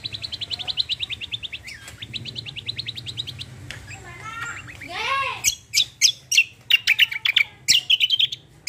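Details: Kecial kombo pours out a rolling trill of rapid repeated high notes, then a brief lower warbled passage, then a burst of loud sharp chirps in roll tembak style.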